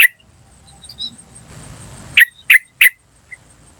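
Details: Yellow-vented bulbul from the wild, used to call in other birds: one sharp note, a quiet pause, then three crisp "cuk" notes about a third of a second apart, over a steady high whine.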